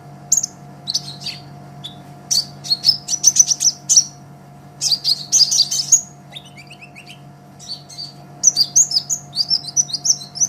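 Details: Olive-backed sunbird, green-type bird, used as a master recording for training songbirds: bursts of thin, very high chirps and twittering phrases separated by short pauses, over a steady low electrical hum.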